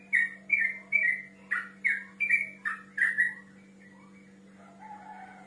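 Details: Rival-calling song of a male yellow-vented bulbul, played as a lure to provoke an answer; a run of bright gurgling whistles for three seconds, then fading to soft, distant notes over a steady background hum.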